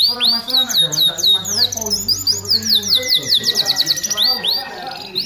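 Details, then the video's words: Atlantic canary singing vigorously (gacor), kept for song-tutoring: rapid rolling tours of repeated high whistled and buzzy syllables, some rising and some falling, with lower chattering sounds underneath throughout. "Kenari gacor untuk masteran"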